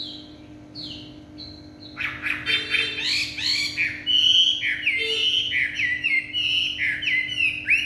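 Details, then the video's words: Chinese hwamei singing in the evening: a few soft falling whistles, then an outburst of loud, dense, varied warbling with rolling, looping phrases and rapid slurred notes. "họa mi hót tối"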